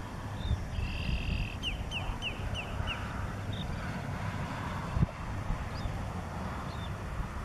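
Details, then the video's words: Short-billed dowitchers in Mower County, Minnesota, on 8 May 2014: a quick series of about five clear, descending whistled notes near three kilohertz, with a few faint calls later, over steady low rumbling background noise. "Short-billed Dowitchers"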